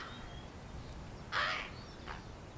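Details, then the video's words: Fledgling common raven, hatched in April 2022 and out of the nest since mid-May, calls impatiently while waiting to be fed: one loud, rough, grating squawk followed by a fainter short echo-like rasp. "Baby ravens making noises"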